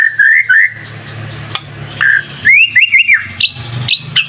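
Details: White-rumped shama whistling short phrases in a lure recording: brief rising whistles and a looping trill separated by pauses, with a faint low hum and occasional clicks.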